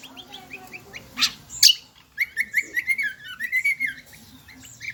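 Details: Kecial kombo, said to be endemic to Lombok, in shrill song: scattered high chips, two sharp clicks, then a quick series of bright, slightly wavering whistled notes repeated several times per second.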